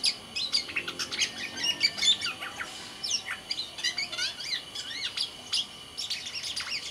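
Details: Kepodang, the black-naped oriole from Sumbawa, a kept songbird in lively song: tumbling, twittering phrases of rapid high chirps and wavering slurred notes, pouring out almost without a break.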